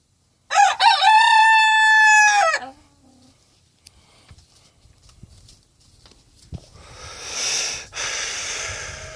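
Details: Pet rooster crowing on the first day it is let out, one loud, drawn-out crow of about two seconds with a rising start and a steady strained tone, followed by quiet and then a person's sneeze.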